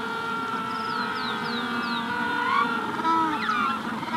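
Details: Magellanic penguins calling in a colony at the hatching stage: overlapping drawn-out harmonic braying notes, with a rufous-collared sparrow's clear descending whistles repeated in the background.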